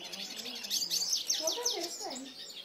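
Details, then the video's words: Fiery male hooded siskin pours out a short burst of high, dense twittering trills. Low human speech is heard beneath the song. "Pintassilgo pinheirinho "foguento", esse gala !!!"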